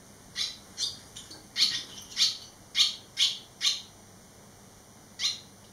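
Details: Three barn swallow fledglings back eleven days after fledging; a lively run of about ten high, clipped chirps, loose and uneven in rhythm, several in quick pairs, then a pause before one final chirp.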